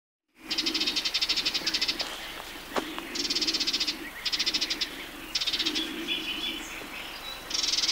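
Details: Sardinian warbler calling in a riverside grove along the Matarraña, June 2011: dry, buzzy chattering rattles in bursts of about a second, repeated with short gaps, over a steady low drone.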